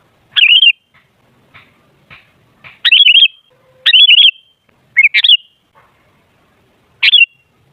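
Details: Sooty-headed bulbul singing as a lure to set other bulbuls calling: a run of brief liquid, gurgling phrases roughly once a second, some doubled, with soft clicks between them in an otherwise quiet setting.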